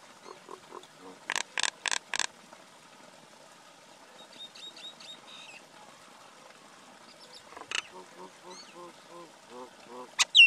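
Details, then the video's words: Male and female common myna calling: a row of four harsh, broadband rasping bursts, then quieter gurgles, clicks and short whistled notes, with a final sharp squawk near the end. "Call or Song of Male & Female common Myna, Acridotheres tristis"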